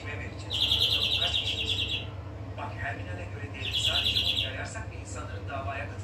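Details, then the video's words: European greenfinch singing two long, buzzy, rapidly pulsed trills a few seconds apart, each about a second, with softer chirps between them over a constant low hum. "Flurya Kuşu ötümü"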